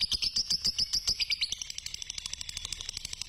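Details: Fighter-type lovebird in long 'ngekek' chatter, meant to spur other lovebirds into singing: quick bright high chirps for a second and a half, then trailing off into softer, rapid ticking notes.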